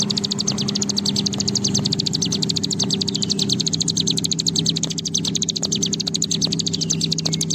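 A bar-winged prinia gives a long, high, dry rattling trill of rapid ticks, running almost without a break, over a steady low hum.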